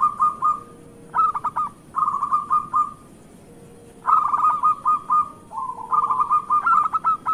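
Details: Local Indonesian zebra dove in full song, used as a lure to get doves that are reluctant to sing going: four phrases, each a few staccato notes running into a rolling, cooing trill, with steady background hiss and a faint low hum.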